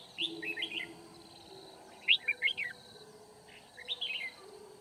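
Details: Red-whiskered bulbul decoy singing to lure wild birds during trapping at Kim Bôi on 9 February 2019. Three short bright warbled phrases, each a quick run of rising and falling chirpy notes, spaced about 1.7 seconds apart. A steady high whine runs throughout.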